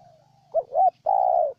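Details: Spotted dove from Ninh Thuận, Vietnam: one phrase of a rising, wavering two-part hoot followed by a long, smooth, gently falling coo, over a faint low hum.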